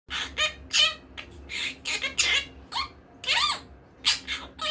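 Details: Pet monk parakeet (quaker parrot) indoors, giving a stream of harsh, raspy squawks and chattering chirps in quick irregular bursts, with a low room hum underneath.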